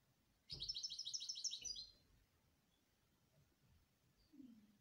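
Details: Canary giving a short, fast high trill lasting just over a second, opened by a soft knock, followed by quiet background.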